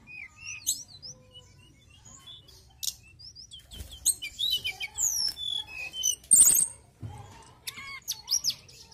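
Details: Mountain tailorbird singing vigorously: a long, varied string of high whistles, quick slurred notes and fast trills, broken by occasional sharp clicks and a brief harsh burst.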